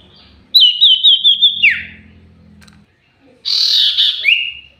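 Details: Common iora in a highly vocal lure recording. A rapid trilled whistle slides downward and ends in a drop. After a pause comes a buzzy burst that turns into a steady, clear whistle.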